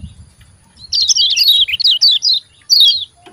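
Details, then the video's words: Kecial kuning, a white-eye, giving rapid 'ciak ciak' notes meant to stimulate caged birds to sing. A tight run of high, wavering chirps falls slightly in pitch, pauses, then returns as a brief pair. Light low background noise. "CIAK CIAK JOS KECIAL KUNING GACOR PANCINGAN KECIAL MALAS BUNYI RAJIN JOS GACOR"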